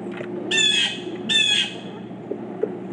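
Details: Two of four pileated woodpeckers give loud, harsh, nasal squawking calls, each about a third of a second long and spaced under a second apart, over low rural background hum with faint knocks.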